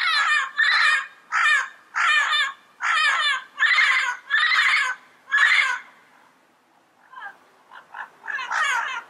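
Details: Yellow-headed parrot repeating loud, rough squawks at a steady rhythm, roughly one per second, then a brief quieter spell of short clicks before more harsh calls resume.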